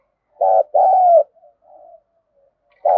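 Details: Spotted dove cooing in the thúc gù and calling style used to train decoy birds. A short hoot is followed by a longer, slightly falling coo, then faint soft murmurs and a final coo onset.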